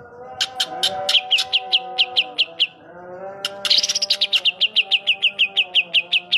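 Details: A greater green leafbird mimicking a sooty-headed bulbul gives two bursts of sharp, high chirps repeated about five times a second, over a low steady hum.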